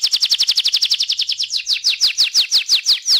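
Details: Canary giving a 'ngeroll' rolling trill, used as a lure to start birds singing: rapid high repeated falling notes that gradually slow into wider, evenly spaced downward sweeps.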